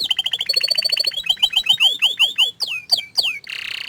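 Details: Canary, said to be shy about showing itself, singing a steady trill that slows into a run of descending slurred whistles. It ends with a short buzzy burst.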